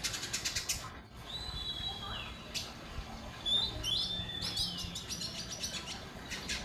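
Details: Indigo bunting song: thin, high whistled notes, some sliding downward, broken by short sharp chips, with a steady low hum underneath.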